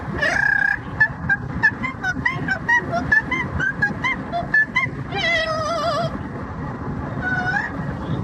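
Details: Pet yellow-naped amazon parrot singing opera and making noise during a commute: rapid series of short harmonic notes, then a loud warbling, vibrato-like wail, over constant low road rumble from the moving vehicle.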